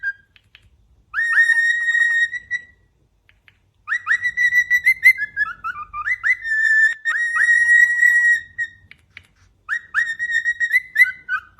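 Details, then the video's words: A caged pet cockatiel perched on top of its cage gives a whistling serenade, three bursts of bright held whistles and quick rising slurs, with a dipping wavering passage in the middle and brief silences between phrases. "Cockatiel's Whistling Serenade from atop its Cage"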